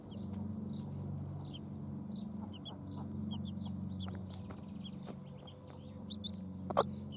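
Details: Domestic hens with their chicks, recorded 24 June 2016: many short, high, downslurred peeps repeat throughout, with a few louder sharp notes near the end, over a steady low hum.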